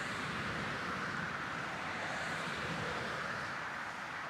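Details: Continuous roadway noise with a passing vehicle's hiss and rumble covers everything; no bird or other animal voice stands out.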